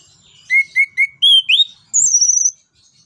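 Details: Anis kembang, the orange-headed thrush, sings a lure song for other birds: three short level whistles, two rising slurs, then a fast rattling trill of thin high notes ending in a gliding whistle.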